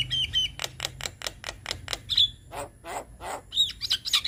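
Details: White-eyed Javan myna song meant to prompt young birds to sing: short whistles, a rapid train of scratchy clicks, then coarse harsh rasps and more high whistles at the end.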